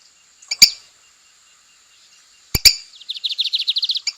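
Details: Singing lined seedeater in the wild: sharp clicks, then a rapid even trill of high, slightly buzzy notes repeated about ten times a second.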